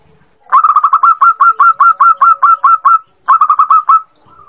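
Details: Zebra dove coos used to train local and Bangkok-type birds to sing readily: a burst of about twelve short, evenly pitched ringing notes in quick succession, a brief pause, then five more, over a quiet background.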